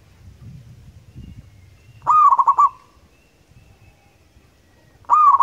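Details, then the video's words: Local zebra dove from the wild, used to draw other birds, delivers a rolling cooed phrase of rapid beats, then starts another three seconds later; faint low rumbling before. "PERKUTUT gacor crosing"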